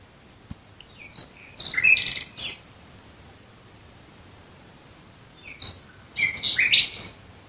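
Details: Nightingale singing at night near Dresden, Germany: two separated bursts of bright, varied chirps and short whistles with quiet pauses between phrases.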